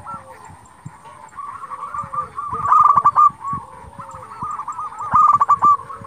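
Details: Local zebra dove in full voice, meant to rouse rivals into replying: steady trains of rolling coo notes with two loud, emphatic stuttering bursts, a quieter dove audible behind.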